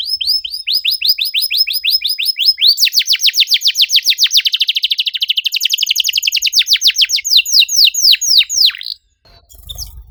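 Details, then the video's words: Singing canary with a long unbroken sequence of rapid, sharply descending chip notes that speed into a dense rattle, then slow again before stopping near the end, followed by faint low rumbling. "PANCINGAN KENARI MACET GACOR NEMBAK RAPAT CUIT CUIT"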